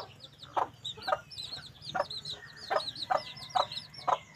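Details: Black-coloured female red junglefowl clucking: short, low, throaty clucks repeated about every half second, seven or eight in a row, with small birds chirping high and steadily in the background.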